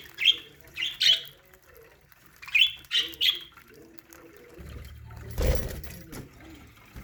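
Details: A budgerigar colony in an aviary chirps in short, bright, scratchy bursts, with a flutter of wings near the end.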